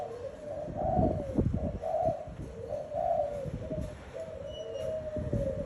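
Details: A kept spotted dove coos in soft, low, hollow notes that come in short repeated phrases across several seconds. Faint rustling and small noises are heard underneath.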